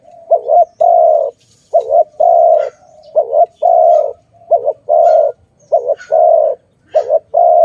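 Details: Steady cooing of a dove at a trapping site: short quavering coos alternating with longer sustained ones, repeated about seven times without break.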